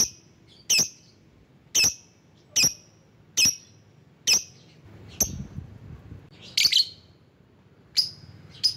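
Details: Lovebird calling to lure rivals: sharp high chips repeated about once a second, each a bright broadband burst, with a brief double note near the end; a low room hum underneath.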